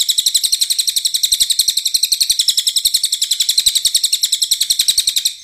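A cililin sings a fast, steady string of high, buzzy chips, about four each second. The chatter is shrill and unbroken, with nothing else heard.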